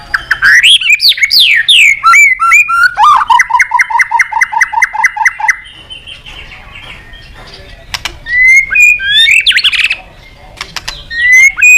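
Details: White-rumped shama therapy song to get other birds singing: swooping, looping whistles, then a rapid rattling trill of repeated notes, followed by a quieter stretch and renewed clear, rising whistles.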